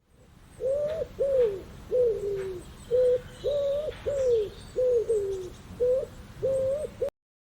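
A pigeon gives a quick run of short, hollow, mellow coos, about a dozen in seven seconds, each gently rising then falling, over faint background hiss.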